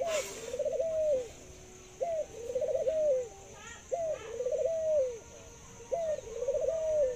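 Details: Thai dove, a kept cage bird said to laugh and to have a very long coo, gives four repeated cooing phrases, each opening with a short rising note and then a long wavering, slightly descending coo, about every two seconds.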